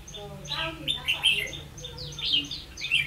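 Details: Decoy red-whiskered bulbul during a trapping session on 16 October 2016, giving quick, bright chirps and slurred whistles in rapid succession, over low background hum and other faint bird notes.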